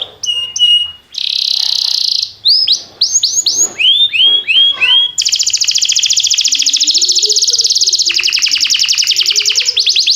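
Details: Timbrado canary training song shifting through short notes, a harsh buzzy burst, sweeping whistles and then a very fast, even metallic trill that runs for several seconds, with a faint low warble underneath.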